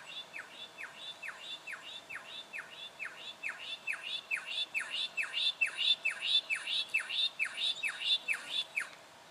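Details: Juvenile Brown goshawk recorded in Victoria, Australia, in October 2011, giving a long, fairly regular run of sharp downward-slurred notes, about two per second, growing louder toward the end.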